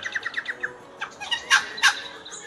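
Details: In Australia, a Red Wattlebird gives a quick run of six chirps, then its standard call of harsh, rasping guttural notes like a wheezing printer, with faint background chatter.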